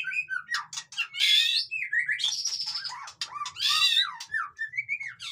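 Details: White-rumped shama, a noisy busy song played to rouse lazy captive birds into singing: rapid varied phrases of bright whistles, harsh buzzy bursts and sharp chips, with loud rasping peaks near the start and end.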